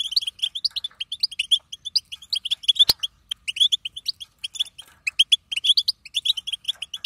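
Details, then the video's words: Female European goldfinch giving the twittering call known locally as bitbita, said to push a male goldfinch into song: rapid, continuous bursts of short high chirps and trills, several notes per second, broken once by a sharp click. "بتبته انثى الحسون"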